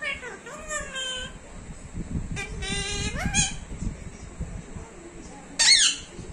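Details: Pet talking parrot uttering a few voice-like phrases, some rising and some falling, with a sharp shrill note near the end. Faint background noise.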